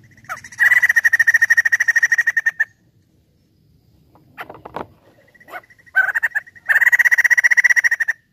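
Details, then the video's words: A White-crested Laughingthrush gives two loud, rapid chattering bursts of harsh pulsed notes, each about two seconds long, with brief softer squeaks between them. The recording is used as a lure. "POKSAY JAMBUL GACOR"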